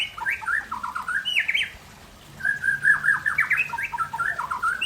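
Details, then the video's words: Aceh-type white-rumped shama in afternoon song, giving two bursts of varied, scratchy, fast-changing notes that leap up and down in pitch, separated by a brief silent pause. "Murai Aceh"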